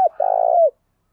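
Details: Decoy spotted dove cooing hard during training. The clip holds the tail of a brief note and then a single sustained, burry coo lasting about half a second, sliding lower as it ends.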